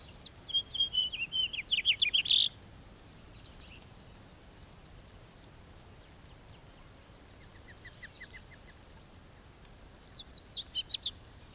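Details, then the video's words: House finch singing: a fast, jumbled warble of rising and falling notes ending in a loud harsh burst, a faint even trill a few seconds later, then a fresh warbled phrase starting near the end over steady background hiss. "The song of the House Finch"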